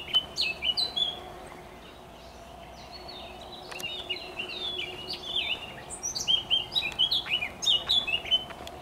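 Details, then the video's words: Eurasian blackcap singing on 27.05.2023: bursts of quick, high warbled and fluty notes, two phrases separated by a quiet gap, with a faint low cuckoo calling beneath. "Śpiew kapturki i kukanie kukułki. 27.05.2023 rok"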